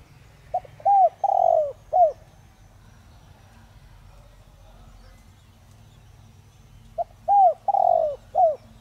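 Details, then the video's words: Spotted dove used as a decoy to prompt others to call, singing in the 'Đồng Rặc' voice: two identical coo phrases separated by about five seconds of quiet, each of clipped notes and one drawn-out falling coo, with low rumbling noise. "Chim cu gáy Giọng Đồng Rặc kích bổi nhanh nổi/cu gáy mồi cây kích bổi nhanh gáy"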